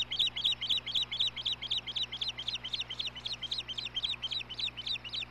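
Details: At a nest camera on 17 May 2016, an osprey calls as the male delivers dinner to his mate. Rapid run of shrill, clipped whistles, roughly four a second, rhythmic and insistent, with faint background hum.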